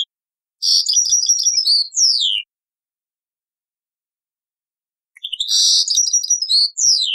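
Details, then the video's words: European goldfinch taqsrain song, from an old cassette: two phrases of lively, liquid twittering and buzzy trills ending in downward-sliding whistles, separated by a long silence. "تغريد تقصراين من كاسيت قديم"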